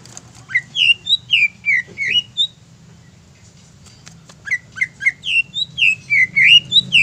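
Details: Greater green leafbird song used as a provocation for other birds: two bursts of rapid, high, slurred whistles with a quiet gap of about two seconds between them, over low hum.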